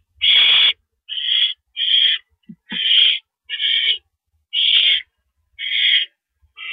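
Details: Nest scene at 10:30 PM, April 5, 2012, as an owl brings in a mouse: a run of eight rough, hissing rasps at an uneven pace of roughly one per second, over a quiet background.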